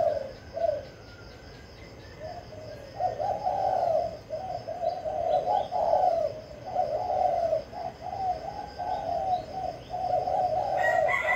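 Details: Decoy spotted dove singing readily, starting with a couple of isolated coos and then a sustained, rolling stream of throaty coo phrases.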